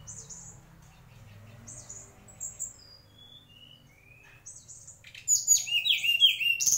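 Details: Mangrove whistler: soft, scattered whistles and a few slurred notes at first, then a loud, rapid sequence of sliding whistles and chirps in the final seconds.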